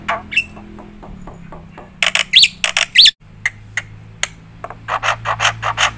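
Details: Black-winged myna in full, energetic song, used for prompting and tutoring other birds: scattered harsh squawks and sharp chirps, with a brief dropout near the middle, over a low steady hum.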